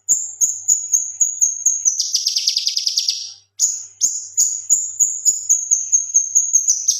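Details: Male leafbird singing energetically, used for training other birds. Shrill repeated whistles give way to a buzzy, fast-pulsed trill lasting over a second, then a pause and renewed high whistled notes.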